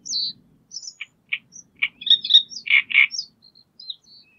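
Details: Courting great reed warbler giving a rapid jumble of loud, grating 'karr' notes and thin high squeaks and chirps, several emphatic harsh double notes near the end, with a faint low rumble underneath.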